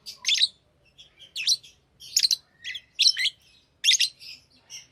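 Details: Pet lovebirds chirping steadily, with grating high chirp bursts about once a second and softer twitters in between, over a faint low hum.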